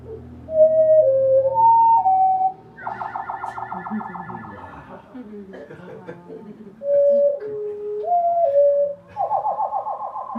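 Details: Backyard thrush (wood thrush family) song, heard at normal speed and then slowed down: clear whistled notes stepping up and down, broken by buzzy, trilled phrases, with faint speech underneath.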